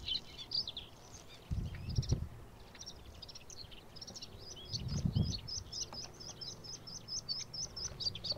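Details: A white-spotted bluethroat, a summer migrant singing its fluty song in marshes and wasteland, gives a fast, varied run of high chirps and twitters that settles into rapidly repeated ringing notes, with low wind rumbles behind.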